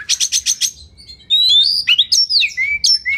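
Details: Oriental magpie-robin tutor song for contest birds: five quick buzzy notes repeated evenly, a brief pause, then a series of smooth, sliding, looping whistles.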